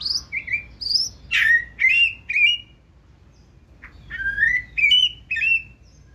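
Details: White-rumped shama, caged, singing bright whistled phrases in two bursts, high slurred notes dropping into rich warbled syllables, a short pause between bursts, clean quiet background.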